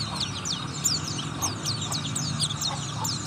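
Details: Oriental white-eye singing fast, high-pitched chattering phrases of short sweeping notes, continuous and busy, with a low droning hum underneath.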